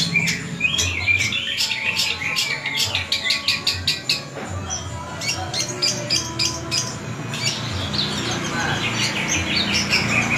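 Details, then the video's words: Long-tailed shrike, known locally as the bird of a thousand voices, delivering a varied song of rapid, sharp high chirps and trills in quick bursts, with faint low background hum. "Cendet burung 1000 suara"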